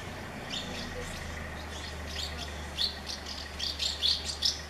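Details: House martin chicks in a colony of thirty nests, hungry and fed by parents; high thin chirps around the upper range, sparse at first then clustering into quick bursts in the last two seconds, over a low steady hum.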